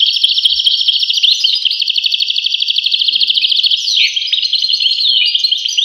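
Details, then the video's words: A goldfinch of the European kind gives a long buzzy trilled rattle for several seconds, followed by bright jumbled twittering and slurred whistles. "voice carduelis- Tweets the birds. Tones a bird Goldfinch. voice goldfinch-"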